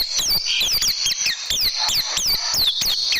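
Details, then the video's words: Oriental white-eye tutoring song for training caged birds: repeated high, sharp whistled notes sliding downward, delivered in quick irregular bursts, with a persistent background hiss. "Masteran Burung Pleci Dan Tembakan Super Ampuh Pleci Juara"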